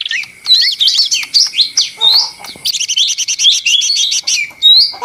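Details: Lesser green leafbird song, noisy and vigorous: slurred whistles give way to a fast run of high chirps and trills, ending on a clear rising whistle.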